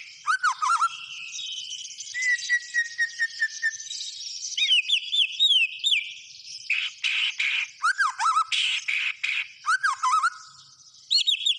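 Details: White-rumped shama in energetic song: looping whistles, a run of quick repeated notes, then alternating buzzy bursts and downslurred whistles over eleven seconds.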